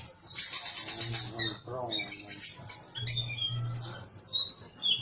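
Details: Small whistling thrush in loud continuous song: long high scratchy whistled phrases with quick slurred notes and brief pauses, a low hum running beneath.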